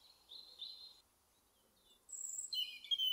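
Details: European Robin, a UK garden bird: a thin, high, steady whistled phrase, a pause, then a rush of varied, sparkling high notes and trills.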